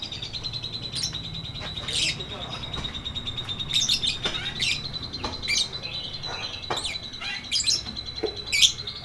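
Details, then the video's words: Lovebird in ngekek style, a long chattering song used as a tutor recording for birds that have stopped singing: sharp high chirps and buzzy bursts scattered irregularly over a steady high whine, with low background hum. "MASTERAN LOVEBIRD NGETIK NGEKEK PANJANG FULL DURASI!!"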